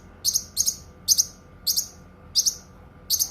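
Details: Cucak kinoi song made of crisp, high-pitched doubled chirps, six of them in quick succession about every half second, with only faint steady hum behind.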